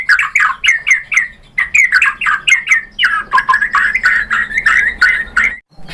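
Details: White-rumped shama lure song aimed at stirring a rival bird: a dense, fast run of harsh, warbling notes, about five per second, continuing almost without a break.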